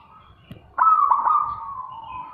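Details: Single loud zebra dove call, after a faint lead-in tone: a sharp onset of rapid stuttering pulses flows into a long, level, ringing cooing note that slowly weakens, over quiet low background noise.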